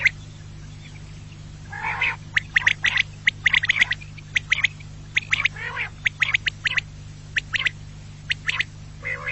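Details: Quail call played to attract quail for hunting: scattered sharp clicks and chirps mixed with a few longer, harsher squawking notes, over a constant low hum.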